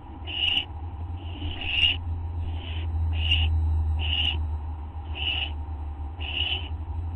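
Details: Barn owl owlet begging while being fed, recorded at dawn, 5:59 AM, on August 15, 2011; a run of seven or eight wheezy, hissing screeches, each roughly a third of a second, spaced about every second, above a constant low electrical hum.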